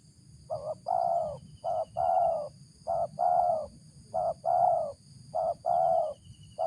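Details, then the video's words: Tekukur (spotted dove) giving its powerful raspy 'ngeruk' call, a bird rated fit for luring: evenly spaced pairs of low coos, a brief note then a drawn-out husky one, repeated roughly every second. "suara ngeruk ini joki sampai batuk batuk // layak dijadikan pikat"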